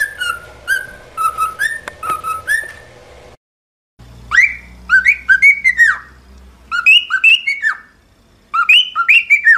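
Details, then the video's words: Pet cockatiel being trained to sing whistles a tune of clear, looping notes swinging between low and high, in quick phrases broken by short pauses, over a faint hum. "Aprenda Como Ensinar a Calopsita a Cantar"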